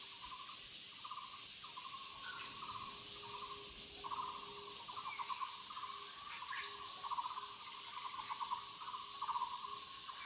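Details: Muller's barbet in the woods giving a series of throaty, pulsed notes in even bursts, one after another for ten seconds, with a constant shrill insect chorus behind and a few faint higher chirps.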